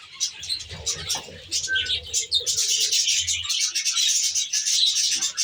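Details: Budgerigars, Australian budgies kept in a natural-style aviary, chattering as a flock: dense, overlapping high warbles and chirps that run continuously and grow busier after the first seconds, with a low droning hum underneath.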